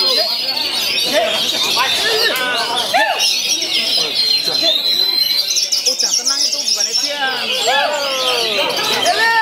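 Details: Contest oriental magpie-robin in a singing competition at Wiradesa, Pekalongan, Central Java, July 2024, pouring out rapid varied whistles and arched notes among many other birds and a noisy crowd.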